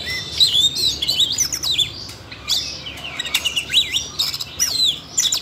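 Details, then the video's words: Siberian rubythroat excited into singing by training audio meant for a young bird: high, jerky warbled phrases of rising and falling whistles mixed with short chirps, in bursts separated by short gaps. "Luyện giọng cho chú than con ko ngờ làm chú oanh cổ đỏ nổi hứng hót chuyện"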